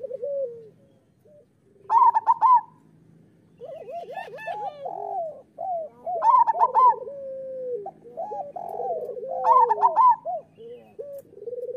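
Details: Rolling, overlapping coos of local zebra doves, meant to stimulate reluctant doves to sing: four loud trilled bursts about every two and a half seconds, separated by dense strings of lower hooked and purring notes.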